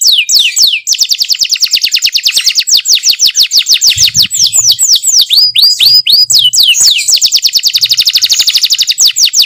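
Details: Singing canary delivering long rapid trills of repeated falling notes, broken midway by a few looser swooping whistles before the fast trill resumes.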